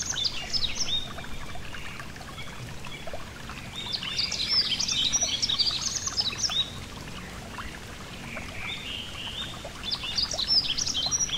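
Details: Yellow-throated bunting near a gentle stream: short bursts of high, rapid twittering at the start, in the middle around four to six seconds, and again at the end, separated by stretches of flowing water.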